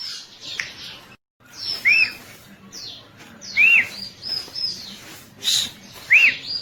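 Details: Bar-winged prinia used as a master lure song for caged birds, giving short arched whistles repeated every two seconds or so, mixed with brief higher chirps, with a short silent gap near the start.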